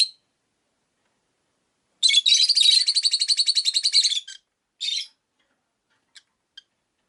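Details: Rosy-faced lovebirds in a windowside cage of five birds: a rapid pulsed chatter of about two seconds, roughly four notes per second, then a short harsh chirp and two tiny ticks.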